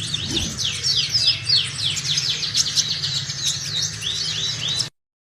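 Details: Sunbird recorded singing hard, used as a lure for other sunbirds: quick high slurred notes run together in a busy twitter for about five seconds before stopping abruptly.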